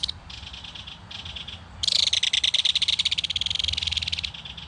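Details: An adult belted kingfisher, feeding its chick fish at a nest in a mud bank, gives a loud, dry, rapid rattle over two seconds after softer broken bursts, calling back and forth with the chick, over low rumble.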